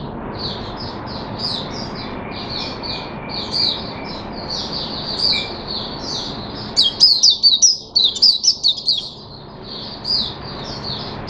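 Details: Caged Oriental white-eye singing a long, steady stream of high twittering notes, growing louder and more rapid around the middle before easing, with a faint thin whistle and low hum behind.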